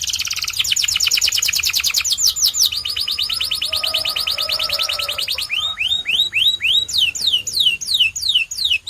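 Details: Song of a white canary: fast rolling trills that change speed between sections, a faint lower tone underneath, ending in a string of sharp, rising whistled notes repeated about every half second.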